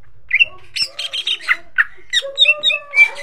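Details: Pancingan lure song of a greater green leafbird, meant to make other leafbirds sing: a varied, chattering phrase of harsh bursts mixed with bright whistled notes and a few lower, sustained tones, lively and irregular.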